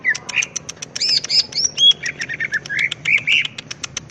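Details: Greater green leafbird singing energetic ngetrok-style song as a master recording for tutoring: rapid ticking notes repeated steadily beneath looping, arched whistles and warbled phrases, continuous throughout.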